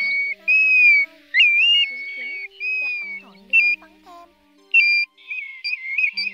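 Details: Pacific golden plover calls played as a lure for night net-trapping of migrating birds in August 2024: loud, clear whistles, some slurred and wavering, others short and rising, in bursts about every second, over faint steady low tones.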